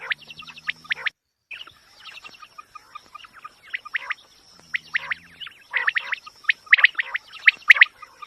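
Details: Quail sound used as a hunting lure: clusters of sharp, high chirping notes in quick bursts, growing denser toward the end, over a thin steady high-pitched whine.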